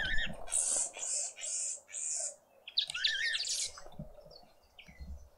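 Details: Green woodhoopoes, a family group at breakfast in a suburban garden in Pretoria, South Africa, spring morning; a rhythmic series of four harsh, high cackling bursts about half a second apart, then a louder scratchy jumble and softer chirps.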